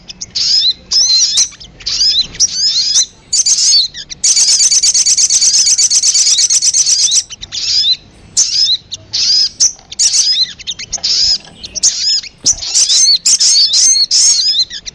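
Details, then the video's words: Sogon lure sound used to attract birds: dense, high-pitched chirps and twittering notes in quick bursts, with a long buzzy trill in the middle and short gaps between phrases. "PANCINGAN SUARA PIKAT BURUNG SOGON PALING DI CARI"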